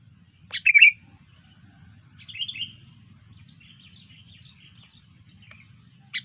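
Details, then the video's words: Sooty-headed bulbul singing: two short bursts of bright, bubbly chirps roughly a second and a half apart, then a thin wavering twitter and a final sharp note, over a steady low hum. "Burung kutilang gacor"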